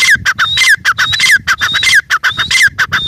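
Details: Grey francolin female, known locally as teetar, giving a harsh fast series of squawky notes with level whistled tops and falling slurred lower parts, about two notes a second.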